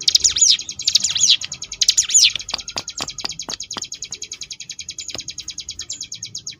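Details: High ciblek gunung 'ngebrem' song, Sunda bush warbler, for training contest birds: loud swooping rising-falling trilled phrases at the start, giving way to a long, gradually fading series of rapid buzzy pulses with a few sharp clicks.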